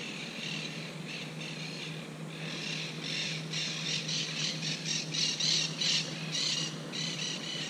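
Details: Monk parakeets fussing near their nest after their tree was climbed and a camera placed; a rapid series of short, harsh chattering squawks, about two per second, over a steady low hum.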